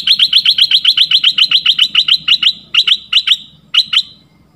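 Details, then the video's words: Red-whiskered bulbul call used as a lure for trapping: a fast run of about twenty sharp, chirpy high notes repeated several times a second, then a few paired chirps with gaps; faint low hum beneath. "เสียงต่อนกดอกแตงเจ้าเพชร Ep.7 ต่อเข้าไว เข้าจริง!!!ได้ผล100%"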